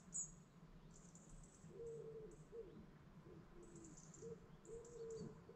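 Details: Dawn chorus beside a lake in the Lake District national park: high thin chirps and trills over low hooting coos, with a steady low rumble behind.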